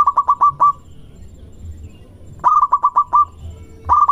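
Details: Lure song of a local zebra dove for drawing answers from other doves: quick bursts of five or six staccato coo notes separated by pauses, with a low hum underneath.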